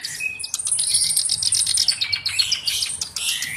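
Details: Tutor-bird black-browed reed warbler pouring out a dense, high, scratchy warble with sharp squeaks, buzzy notes and a thin sustained high whistle running beneath the chatter.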